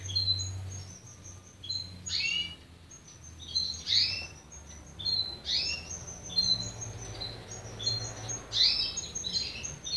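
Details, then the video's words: Unpedigreed young canary beginning to sing: quiet, hesitant phrases of high chirps and quick falling slurs, each burst followed by short pauses, over a low background hum. "Meu filhote srd (pé duro ) começando á soltar o canto"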